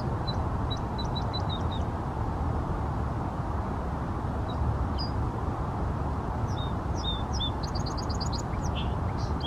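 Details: Song sparrow in Seattle singing faintly: a run of clipped high notes early on, scattered thin notes, then a rapid high trill with slurred notes near the end, half buried in a loud constant low rumble.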